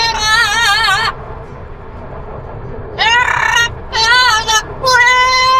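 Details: An Amazon parrot practises singing "La puerta negra" in a voice-like tone, with four wavering, vibrato phrases separated by short pauses. A low background hum runs underneath.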